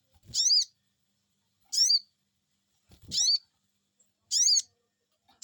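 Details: Steady series of loud "cuiit" calls, each rising and falling, about every one and a quarter seconds, from a sogon bird answering a lure, with occasional low thuds.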